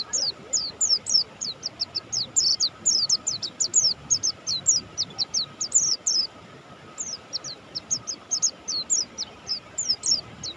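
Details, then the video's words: Energetic song of a Buxtoni mountain white-eye: long, rapid chains of high, thin, falling chirps with a brief pause midway, then a renewed string of similar notes. "suara burung pleci Buxtoni gacor"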